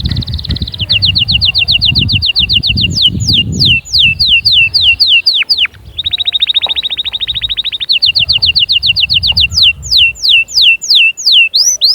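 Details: Canary song for training chicks and conditioning females: a buzzy trill, quick repeated whistled notes, downward-swooping slurs, another dense rolling trill and more rapid whistles, with low background rumble early on.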